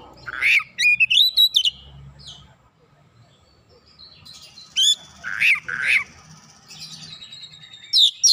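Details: Oriental magpie-robin in full song as a lure to rouse other magpie-robins: a fast sequence of squeaky rising whistles and trills, a brief pause, then harsher squawk-like notes mixed with bright whistles.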